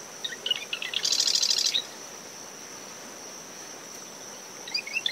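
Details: Early-morning marsh wren singing from dune shrubs surrounding its nest at SMNWR, on a windy day after tropical depression Claudette. A few clicking lead-in notes become a fast buzzy rattle, followed by a pause and the start of another song. A constant high cricket tone and wind-and-wave hiss continue throughout.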